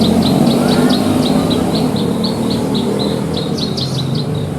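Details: Javan bush lark (branjangan) suited to bird contests, song rich in learned 'isian' content: a rapid run of evenly spaced short chirps around four per second, then a few brighter notes, against heavy steady background rumble.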